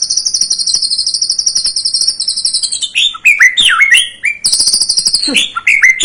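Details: White-rumped shama song played to provoke a young bird into singing: a long rapid high warbled trill for three seconds, then loud varied whistled notes, sharp slurred phrases and chattering bursts.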